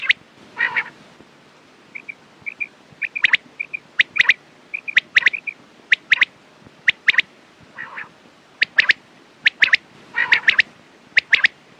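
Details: Quail calls said to suit morning and night: a rasp, a chain of soft short whistles, then sharp crisp chips in pairs and triplets at about one per second, with more raspy bursts mixed in.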